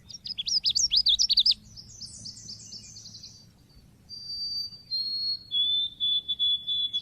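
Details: Oriental white-eye lure recording: a loud rapid run of high squeaky up-and-down chips, then a descending buzzy series, and finally a steady string of clear, thin, level whistled notes repeated about twice a second.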